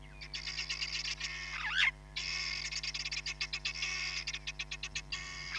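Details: Hamerkop, Nkorho Bush Lodge live camera, 31 July 2021: a wavering, squealing note near the start, then long strings of quick, high, evenly repeated pips that gradually space out. A low hum runs underneath.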